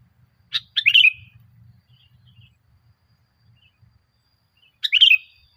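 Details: Sooty-headed bulbul song meant to stimulate caged birds into singing: a sharp lead note followed by a tumbling, warbled phrase, then a similar phrase four seconds later, with a faint low rumble beneath.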